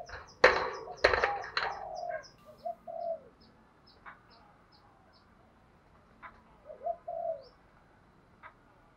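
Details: Male and female spotted doves calling to stir birds for training; loud knocks and clatter at first, then short wavering coos spaced several seconds apart, with faint high ticking in the background.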